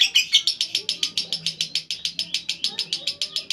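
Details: Rhythmic ngekek of a lovebird, shrill chirps repeated evenly at about three to four per second throughout, with a soft low hum beneath.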